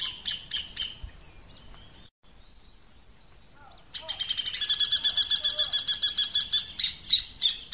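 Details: Rufous hornero at nest-building, giving shrill, high chirps, then after a short pause a loud, ringing series of rapid repeated notes, about three to four per second.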